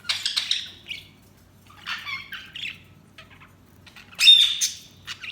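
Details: Budgerigars chirp in short high squawky bursts of warbling chatter, three separated bouts with quiet gaps between, over a faint low hum.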